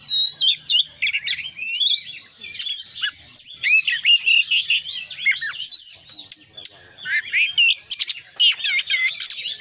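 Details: Oriental magpie-robin in 'gacor' full-isian song. Continuous high, chattering phrases of whistles, chips and quick trills, with frequent short pauses between bursts.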